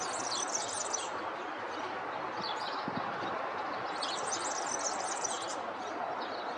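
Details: A small bird sings in two bright, high twittering bursts, one at the start and one near the middle, each about a second long, with quieter chirps between them over a constant outdoor hiss.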